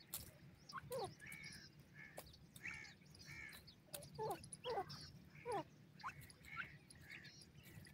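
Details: Young francolin chicks (teetar babies) peeping irregularly: sharp notes sliding steeply downward mixed with short level chirps, several birds overlapping over a steady low hum.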